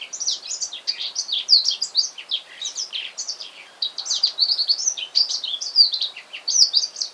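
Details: Male black-throated canary, bought that afternoon and singing at home: a continuous, rapid warble of high, varied twittering notes and short trills, with quick rising and falling slurs running without pause throughout, in a quiet room.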